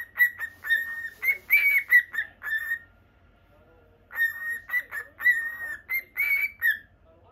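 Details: Caged pet lutino cockatiel whistles a bright warbling phrase of short clear notes that rise and fall slightly, goes quiet for over a second, then repeats a similar tune.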